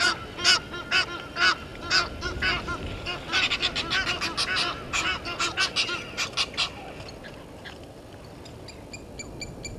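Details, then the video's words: Harsh, rapid honking from Egyptian geese quarrelling with intruding geese at a waterhole in Djuma Game Reserve, Sabi Sand, South Africa, 17:08, 10/04/21; loud calls packed densely in the first seven seconds, then fading to faint notes. "Egyptian Geese having dispute with intruder Geese"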